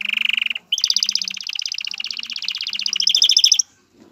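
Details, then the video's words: Male canary singing to prepare a female for mating and nest building: a short rapid trill, a break, then a long rolling double-pitched trill lasting about three seconds. "اقوى تغريد ذكر الكناري لتجهيز انثى الكناري للتزاوج و تحفّزها على بناء العش CANTO CANÁRIO"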